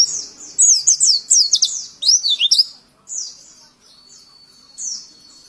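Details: Oriental white-eye singing, recorded for training other birds: lively series of high, swooping whistled notes in quick phrases, followed by a few isolated longer thin notes and a soft trailing whistle.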